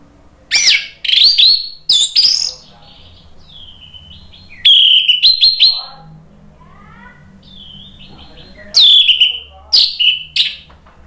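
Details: Orange-headed thrush song used as a lure to stir another bird into answering with full 'gacor ngeplong' singing: loud bursts of high, rich whistled and chattering phrases, separated by quiet gaps of several seconds, with faint low hum beneath.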